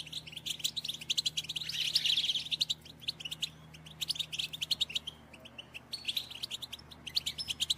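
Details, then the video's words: European goldfinches in a group, twittering calls used to stimulate males to sing and breed; dense high twittering and chirps in bursts, a busier tangle of notes near two seconds, then repeated short chirps toward the end. "بتبتات رهيبة في تحفيز الحسون على التغريد فعالة ومجربة"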